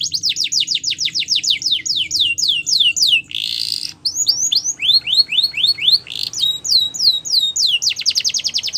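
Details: Champion canary song for training birds: repeated descending whistled syllables in quick tours, broken by short harsh buzzy bursts, then shifting to new phrases and a rapid rolling trill.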